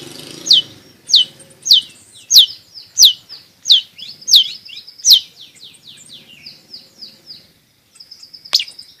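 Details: Long-tailed shrike, a recording for prompting quiet shrikes to sing and tutoring young birds: sharp, high downslurred notes repeated roughly every half second, trailing into softer twitters, over a faint low background hum.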